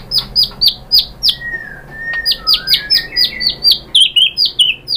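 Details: Shama (murai batu) lure song meant to provoke other birds into answering with their mimicked material. Rapid series of sharp, downslurred chirps about four per second, then lower whistled slurs and a buzzy trill.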